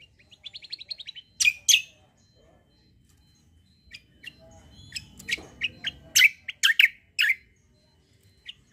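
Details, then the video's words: Kecial, a white-eye fighter bird with 'kombo cucak kombo' song meant for tutoring: a quick high twittering trill, then scattered loud, sharp chirps and short squeaky notes. "KECIAL KOMBO CUCAK KOMBO FIGHTER GACOOR"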